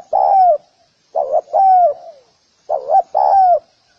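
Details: Close, clear spotted dove calling, meant for training birds. It gives a wavering two-part coo followed by a long, smooth coo that slides downward, three times in quick order.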